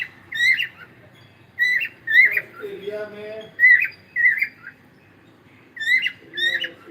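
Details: Morning singing from a Cockatiel: a series of loud, bright whistled notes with harsh overtones, roughly one per second, broken in the middle by a lower, more nasal warbling passage, then resuming the whistles.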